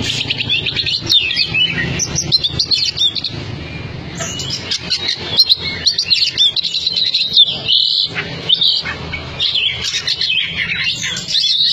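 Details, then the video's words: Caged Oriental magpie-robin, a former top contest bird of a Cianjur bird team, singing fast and forcefully: dense stream of high whistles, chirps and buzzy notes over a steady low hum and background noise. "SUARA KACER NGOTOT bikin Kacer bahan gacor"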